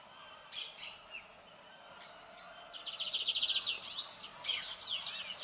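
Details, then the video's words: Lined seedeater: a couple of sharp high notes, then a quick trill of rapidly repeated notes that runs into a louder jumble of high slurred chirps lasting about three seconds. "Canto de bigodinho"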